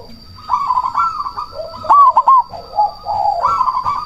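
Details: Zebra dove of the black cemani strain, a loud-voiced, actively calling bird used as a lure to provoke rival doves to answer and raise breeding drive; rapid, warbling, rolling coo phrases run almost continuously, with a brighter fluty note near the middle.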